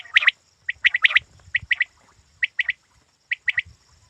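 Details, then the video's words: Quail calls for hunters: crisp, clipped bursts of two or three high notes repeated at roughly one-second intervals, with faint low noise underneath. "Shikari batair ki awaz"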